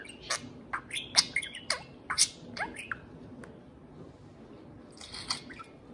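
A parakeet warbles in quick chirps, squeaky whistles and buzzy notes, bursting in a fast run for about three seconds, then fading to a few soft chirps.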